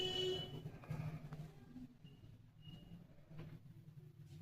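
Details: Low indoor rumble with faint scattered tones and clicks; no clear animal voice.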